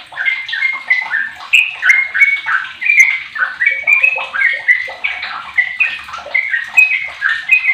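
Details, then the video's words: A 15-year-old sooty-headed bulbul serving as a lure to get other bulbuls singing gives a long, continuous string of liquid whistled notes, stepping up and down in pitch with a lively bouncing rhythm. "Trucuk Apapun 100 persen gacor dengan pancingan trucuk umur 15th ni"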